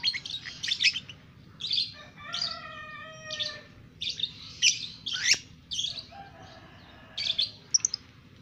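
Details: Lovebird aged two months doing ngekek: rapid clusters of shrill, rasping chirps interleaved with two drawn-out buzzy tones, chattering almost continuously, with one sharp click and a low hum beneath.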